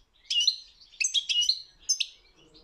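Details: Short passage of European goldfinch song from a world championship contest: a few clear, liquid tinkling notes in three quick groups with brief gaps between them.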